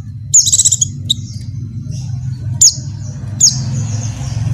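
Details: Oriental white-eye female in breeding condition calls a male: a quick, buzzy, high trill of rapid pulses opens, followed by three thin, piercing, high notes that trail off, over a low hum.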